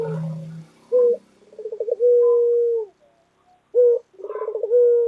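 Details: Vigorous white local Barbary dove repeating its coo: a short sharp hoot, a fast stuttering roll and a long steady low note, then the same pattern again after a pause; a low hum at the start.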